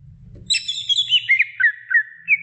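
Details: A female greater green leafbird calls to the male in a brief burst: high warbled notes stepping down into short, evenly repeated whistles.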